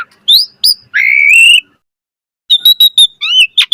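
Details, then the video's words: Gacor mompa song of an Asian pied starling, a master recording for training: a long rising whistle, a pause, then a quick run of clipped high notes and short slurred whistles. "Jalak Suren Gacor Mompa Full Variasi Ocehan"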